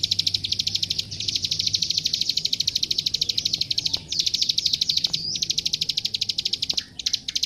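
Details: Master recording of a plain prinia's song meant for training captive birds: a shrill, mechanical ticking delivered in quick unbroken runs, with a few brief breaks and a faint lower hum beneath.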